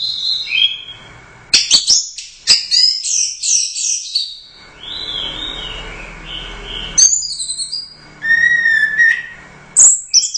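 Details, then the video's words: Orange-headed thrush competition bird, first-place winner, singing a varied medley of loud high whistles, sharp clicks and slurred falling notes, broken by short pauses. "Suara Burung Anis Merah | GACOR Teler Doyong Juara I Royal Cup"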